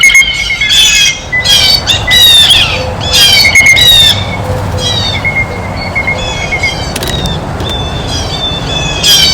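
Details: At a feeder, blue jays make loud grating squawks clustered in the first half, then fewer, softer calls. A steady high tone and low background rumble continue beneath.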